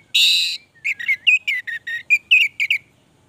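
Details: Orange-headed thrush in full, sustained song: a harsh buzzy opening burst, then a fast run of short varied whistled and chattering notes about five per second, mostly high-pitched, over a quiet background.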